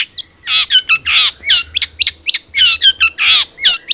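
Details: Captive long-tailed shrike, a cendet trotol, sings to prompt other shrikes to start singing: dense, rapid bursts of sharp chirps and harsh, buzzy notes alternating with clear, slurred whistles, all high-pitched and tightly packed.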